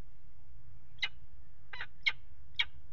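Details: Peregrine falcons at a water tower nest box, mating on the ledge on 5 February 2018; four short, harsh, scratchy notes spaced irregularly over three seconds against a steady low hum.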